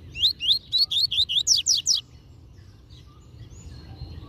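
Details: Tui Tui Zel Zel song of a master double-collared seedeater, used to teach young birds: about nine loud, clear upsweeping whistles delivered rapidly in two seconds, then quiet with faint background noise.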